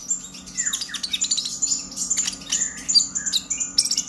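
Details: Konin, the purple-throated sunbird, chattering excitedly as a singing lure for young birds: thin high squeaks and a falling slurred note near the start, then jumbled rapid chips above a faint electrical hum.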